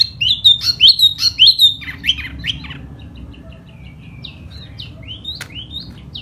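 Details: Laughingthrush in spring, song given while fanning: a loud run of about six rich whistled notes, followed by fainter scattered slurred whistles.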